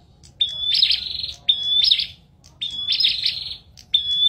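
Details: Bar-winged prinia song in four phrases, each a high steady whistle running into a rattling buzzy trill, separated by brief silences; quiet low background hum.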